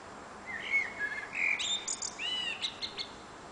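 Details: Evening song of a nightingale perched on an antenna in June, a varied run of fluting whistles followed by quicker, higher twittering notes.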